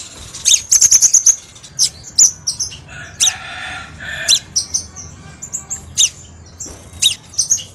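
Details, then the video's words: Crimson sunbird song used as a lure for training caged birds: a rapid high trill, then spaced, sharp high chips with a few buzzier notes. "MASTERAN GACOR & PIKAT KOLIBRI SEPAH RAJA SUARA PANCINGAN"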